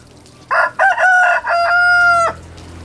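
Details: A rooster crows in competition with others: a loud crow of about two seconds, with choppy opening syllables followed by a long, steady, drawn-out final note that ends abruptly.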